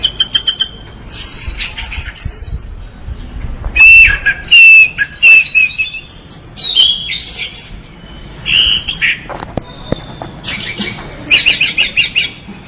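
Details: Orange-headed thrush in full gacor song: quick ticking notes open into loud, varied, shrill phrases and whistles, with several short pauses between bursts.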